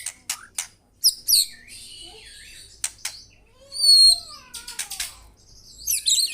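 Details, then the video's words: White-rumped shama singing a varied sequence of sharp clicks, high whistles and drawn-out slurred notes, some dipping lower, with faint low background hum. "BURUNG MURAI GACOR"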